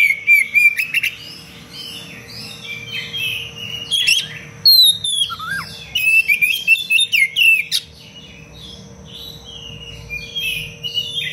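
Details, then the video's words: Singing Oriental magpie-robin, its fast, tightly strung phrases offered as a master recording for training songbirds: bursts of sharp whistles, slurred notes and clicking trills follow one another briskly with short pauses between. "Kacer gacor cengkok rapat pedas untuk masteran"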